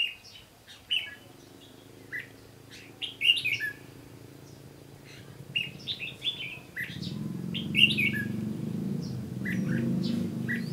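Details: Red-whiskered bulbul fighting song at a lure-bird trap, 15 June 2016: clipped, liquid whistled phrases in irregular bursts, with scattered sharp chirps; a loud low rumble of noise sets in during the last few seconds.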